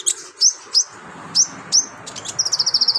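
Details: Lively sunbird in full song, used as a master recording to train other birds: sharp, very high chirps spaced about half a second apart, ending in a fast, even run of bright repeated notes.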